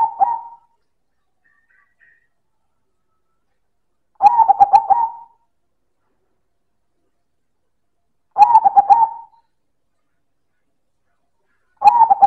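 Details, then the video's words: Loud manggung singing from a silver perkutut, a zebra dove: four soft, purring phrases of quick pulsed coos with a trailing tail note, repeated about every four seconds against a silent background. "Suara Perkutut Silver - Manggung Keras dan Istimewa"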